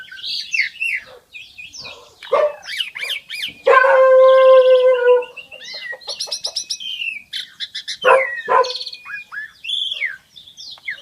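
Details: Black-winged myna in full song, mixing harsh screeches and squawks with a loud, steady nasal note lasting over a second, then buzzy rattles and sharp falling calls.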